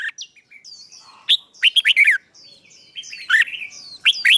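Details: Fighting-song training for a songbird, rousing a newly caught bird; scattered high thin whistles mixed with loud, sharp falling chirps in short bursts, quieter gaps between them.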